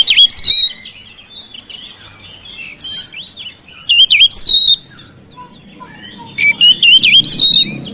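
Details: Oriental magpie-robin kept at home, singing to coax mute birds to sing: three bursts of rapid, sweet, looping whistles and chattering notes separated by quieter pauses, with one short harsh rasp.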